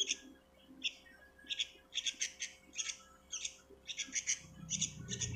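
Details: Young sooty-headed bulbul chick giving short, thin, high chirps, repeated roughly twice a second and sometimes in quick doubles, fairly quiet against a low background hum.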